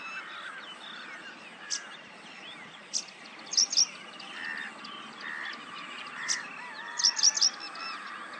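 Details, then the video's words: Paddyfield pipit singing: short bursts of two or three sharp, high chipping notes every few seconds, over a busy background of other birds chirping. "Paddyfield pipit singing tune"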